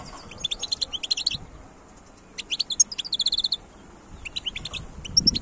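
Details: Song of a wild goldfinch, 2022: fast runs of bright, ringing chirps in two dense bursts separated by a quiet pause, then a softer run of twitters near the end.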